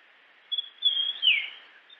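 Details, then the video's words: One clear whistled phrase of the Japanese grosbeak: two short notes, a held high whistle, then a steep downward slur into a lower tone. The background is faint hiss. "Grosbeak japonês Som de pássaro, música de ave, chamado do passaro melodia"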